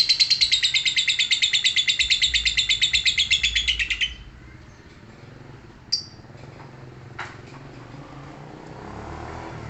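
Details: Lovebird in its ngekek song: a long, fast, rattling high trill that runs for about four seconds and then stops, followed by two short isolated chirps over quiet room noise.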